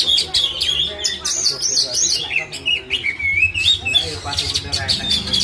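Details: Oriental magpie-robin in Indonesian bird-keeping culture, delivering a loud, varied song of whistles, slurred notes and fast chattering trills with little pause; low hum and murmured speech faintly behind.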